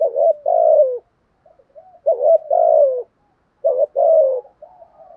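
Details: Spotted dove giving a structured cooing style meant to stir a wild-caught captive dove into calling: a short doubled note, then a longer, hoarse, downward-sliding coo. Phrases recur roughly every two seconds, with soft murmurs between them and quiet surroundings.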